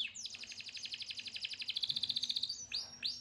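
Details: Canary singing: a long, fast, even trill of sharp repeated notes, about three per second stretched into a continuous roll for over two seconds, then two upward-sweeping whistled notes.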